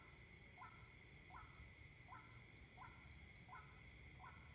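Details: Waterhen calling overnight on 28 October 2018, giving short, hoarse two-part notes that step upward, repeated steadily about every three-quarters of a second, over a louder, rapid pulsing cricket chirp and a constant high insect drone.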